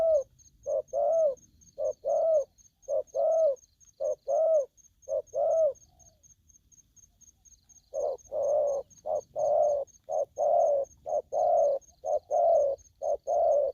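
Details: Young wild-caught spotted dove calling aggressively: quick series of low paired coos, a pause of about two seconds, then a denser burst of the same coos; a faint steady high ticking continues throughout.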